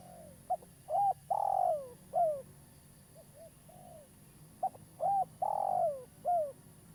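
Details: A local spotted dove kept as a trapping lure calls twice, each phrase a short note, a bowed coo, a long falling coo and a closing downslur, separated by about two seconds of faint soft coos.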